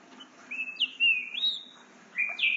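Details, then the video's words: Juvenile trinca-ferro (green-winged saltator) aged eight months, still learning to sing: drawn-out clear whistles that hold steady, then step upward, and a final rising whistle, over a soft low background hum. "FILHOTE DE TRINCA FERRO 8 MESES APRENDENDO A CANTAR, MOSTRANDO MUITA VELOCIDADE"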